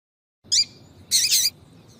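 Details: Female yellow-bellied seedeater giving the 'tui tui' call used to excite males: a sharp high chirp with a short trailing tone, then a longer, harsher burst of high notes. A faint low hum sits underneath.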